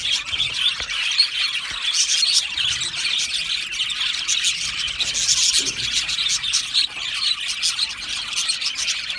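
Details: A colony of Australian budgies in an aviary keeps up soft, continuous high warbling and chirping, steady in loudness, with occasional clicks.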